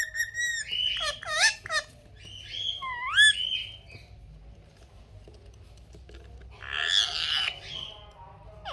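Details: Pet parrot giving quick screechy squawks and curling whistled notes, then a quieter spell and a rough noisy burst over background hum.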